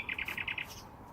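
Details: A Common nightingale singing from hedges around Braziers Meadow, Orwell Country Park, gives a fast run of six identical mid-high notes, about ten a second, followed by a faint higher flourish.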